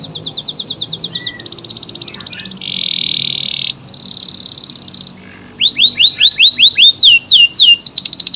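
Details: AF canary singing, suitable as filler song for magpie robins: pulsed trills, flat buzzy drawn-out notes, then crisp rising whistles repeated rapidly.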